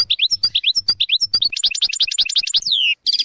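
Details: Goldfinch song as tutor material for young goldfinches and canaries: paired bouncy notes repeated quickly, rising into a dense chattering run, a long downward-sliding whistle, then a brief pause and renewed twittering.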